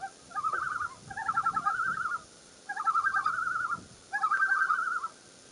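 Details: Common loon with a chick, on the morning of June 2, 2015: four bouts of rapid quavering, laughing notes, each lasting about a second, with short quiet gaps between them.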